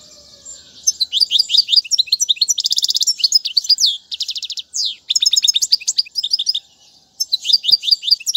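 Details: Goldfinch song meant for teaching chicks: after a soft start, a long run of fast tinkling notes, dense buzzy trills and liquid rising chirps, broken by two brief silences, then a final burst.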